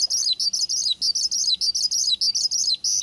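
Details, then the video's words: Australasian bushlark, a lively male, singing to provoke another bushlark into song: a steady, rapid series of high, buzzy chirps, each ending in a short downward flick, about five every second. "PANCINGAN Branjangan Gacor. Cukup 1 MENIT Branjanganmu Langsung Nyaut"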